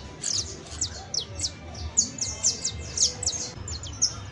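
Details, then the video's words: Song of a saffron finch, called canario criollo: bright descending high-pitched notes delivered roughly once a second in uneven bursts, some doubled, against a soft low rumble. "CANTO DE CANARIO CRIOLLO EJEMPLAR [SICALIS FLAVEOLA]"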